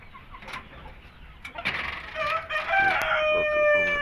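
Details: Among penned Shamo, Aseel, Indio and Thai chickens in Indonesia, a rooster starts a crow that swells into a long, steady, strained note held to the end, after soft clucking and rustling.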